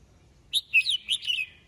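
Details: A red-whiskered bulbul sings in the morning, a call meant to summon the flock, giving one quick phrase of four bright, liquid, warbling whistles lasting about a second, over a faint low hum.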